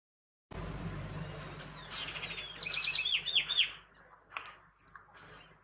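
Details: House wren singing at El Retiro, Antioquia, Colombia, on 30 June 2021, recorded with a Nikon P900 camera; a brisk run of high chirps, quick downslurred notes and short trills, fading into scattered faint chips, over soft background hiss.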